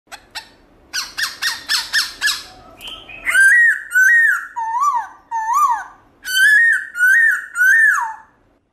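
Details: Black-throated laughingthrush singing a loud, clear wild-style song with many voices, used to stimulate caged birds: a run of quick harsh descending notes, then rich whistled phrases that rise and fall, repeated roughly every second.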